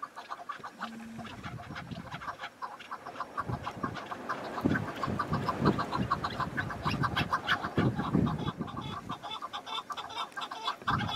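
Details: Wild chukar partridges calling in spring mountains with patches of snow: rapid, repeated harsh clucking notes, several per second, nearly swamped by strong gusting wind, with other birds mixed in.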